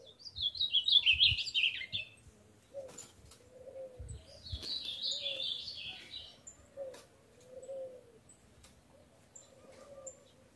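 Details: Young caged male Ultramarine Grosbeak, nine months old, whose song has changed to deeper and stronger: high warbled phrases sliding downward in steps, with low cooing notes from a dove repeating in the background.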